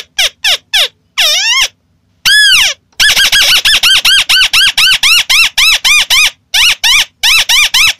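White-browed crake giving loud, squeaky, nasal notes that arch up and down, repeated rapidly at about four per second in a chattering series.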